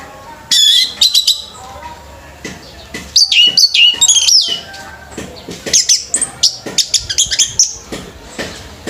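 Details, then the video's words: At a bird singing contest, an orange-headed thrush delivers varied high whistles and rapid twittering notes in several bursts, ending in a fast run of short chips, with faint crowd noise behind. "ANIS MERAH PUNCAK SENI BIRD COMPETITION"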